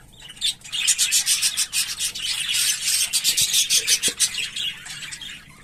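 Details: English Fallow budgerigars, visual and carrier birds, give a fast rasping chatter of about three scratchy notes per second that runs almost unbroken for five seconds, with a few faint low knocks.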